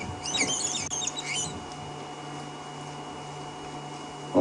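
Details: Flock of wattled starlings (Creatophora cinerea), hidden in a tree during an afternoon safari drive near a buffalo herd, give a brief burst of high, squeaky, chattering puppy-like calls over a steady engine hum; late December.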